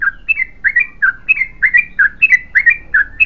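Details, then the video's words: Quick continuous bulbul song from a yellow-vented bulbul: paired bright chirps, each pair dipping then rising, repeated about three times a second without a break. "BURUNG TRUCUKAN GACOR ROPEL PANJANG"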